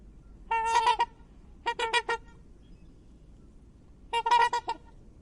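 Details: Swan trumpet sounds: three bursts of rapid, nasal, horn-like honks, each burst lasting about half a second, with silence between them.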